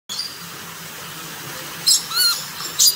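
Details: A rainbow lorikeet in a walk-in aviary at Palmitos Park, Gran Canaria, gives three brief, harsh, high screechy notes in the last second, after a quiet stretch of faint background hiss.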